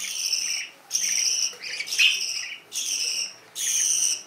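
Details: Canary calling in repeated high, grating bursts, with a rapid cluster of chirps in the middle and longer buzzy notes at the end.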